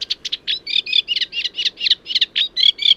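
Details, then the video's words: Played-back reed warbler singing, presented in Lincolnshire as quieter and lower than sedge warbler and not imitative. A rhythmic run of scratchy, chirring syllables repeats rapidly, some doubled, over faint low rumble. "Let's have a listen. This is the Reed Warbler."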